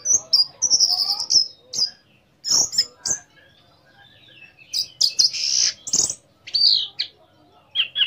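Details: Orange-headed thrush song used as a lure to trigger other orange-headed thrushes to sing; high thin whistled phrases mixed with harsh crackling bursts and chirps, in clusters with short silent gaps.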